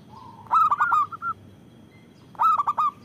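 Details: Zebra dove of local stock with a loud voice, used for luring and provoking other doves: a soft lead-in note, a rolling stuttered coo phrase ending in two short hoots, then a second strong phrase.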